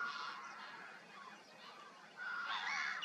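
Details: Rasping, nasal calls from great white pelicans at Kerkini Lake, Greece, softer in the middle and rising into a louder burst near the end.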